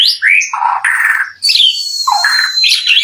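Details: White-rumped shama song used as a lure to provoke other shamas into singing back: loud, varied phrases mixing sliding whistles, buzzy notes and harsh chattering segments with brief gaps.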